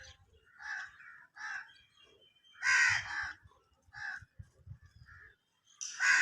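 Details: At a haveli, a bird gives about seven harsh, hoarse, cawing calls in six seconds, some louder and drawn out, with a faint low rumble between them.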